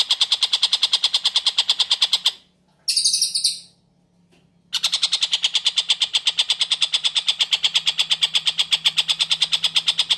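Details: Actively singing long-tailed shrike, a clear tutor recording for magpie-robins: long runs of fast, grating, buzzy notes, broken by a short high scratchy burst between silences, then resuming at an even rapid pace.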